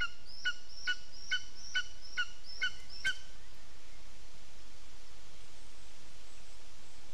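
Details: A lesser spotted eagle at the nest, 15 June 2021 at 15:09, gives seven quick, ringing yelps in the first three seconds, then falls silent, leaving only soft background hiss.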